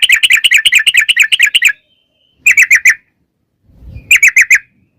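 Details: Yellow-vented bulbul in energetic rapid singing for luring others to sing: a quick run of bright chirps, then two short bursts of four or five chirps separated by pauses, with a faint low rustle.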